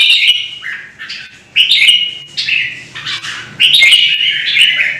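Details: Red-whiskered bulbul in a singing contest in Vietnam, roused against a rival bird: four loud whistled phrases, each a quick tumbling flourish, separated by short silences and soft clicks.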